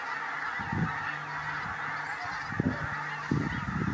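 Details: Flock of Pink-footed Geese at WWT Martin Mere on 4 November 2017, reacting to a Marsh Harrier: deep, drawn-out honks overlapping with short bursts of clipped calls, all over a continuous murmur of many birds.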